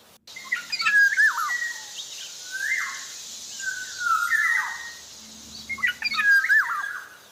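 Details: Black-naped oriole (Javan oriole) singing actively: rich fluty whistled phrases with rising and dipping slurs, given in three bursts about two seconds apart, over a steady high hiss.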